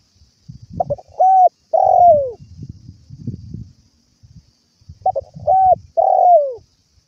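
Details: Spotted dove calling its companions, recorded as a lure for trapping and home training: two three-part cooing phrases, each two short hollow coos and a longer note that slides down, with soft low rustling and thumps between.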